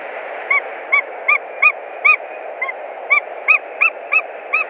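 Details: At a Latvian nest on 1 March 2020, white-tailed eagles building with sticks and straw, with mating attempted: a steady chain of thin, barking yelps, roughly a dozen in under five seconds, against continuous hiss.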